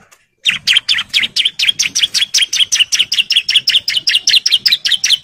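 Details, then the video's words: Male bar-winged prinia in breeding condition, calling females with a long, full-power ngebren song: a fast, steady series of sharp, high chirping notes, about four per second, running for nearly five seconds without a break. "CIBLEK JANTAN BIRAHI GACOR NGEBREN MANGGIL BETINA"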